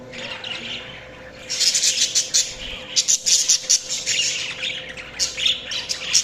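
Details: Budgies chirping: quiet at first, then a sudden rush of fast, high, scratchy chatter with sharp clicky notes repeated in rapid pulses to the end.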